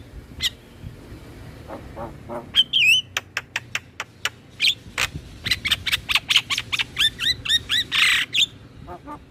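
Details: Javan myna among other mynas, played to stimulate caged birds to sing: an irregular medley of sharp clicks, short whistled twists and scratchy notes, ending in a broad harsh burst and scattered clicks.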